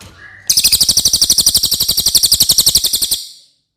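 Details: Song of a cililin, intended as a training recording for contest birds: one dense, shrill trill of rapidly repeated notes lasting about two and a half seconds, preceded by a faint short whistle.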